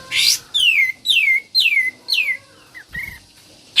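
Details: Sooty-headed bulbul in full ngebren song: a harsh rasp, then four loud whistled notes sliding downward, evenly spaced, trailing into softer short notes.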